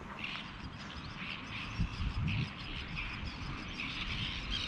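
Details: Common terns breeding in a marina colony in breeding season, summer visitors from West Africa, give harsh, grating calls in quick uneven bursts over steady low wind rumble and a few dull knocks.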